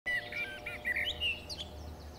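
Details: A leucistic common blackbird with a large white patch on its head, in the Campo del Moro gardens, Madrid, on 20 September 2022, gives a quick run of short, fluty, warbled notes over about two seconds, over a faint steady hum.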